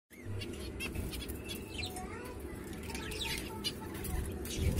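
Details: Zebra finches together at mealworm feeding time give short, nasal chirps and tinny beeps over a steady low rumble.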